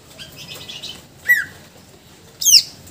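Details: Greater green leafbird in full song, showing off its repertoire, used as a tutor bird; faint high chattering notes, then two short, sharp, descending whistled notes about a second apart.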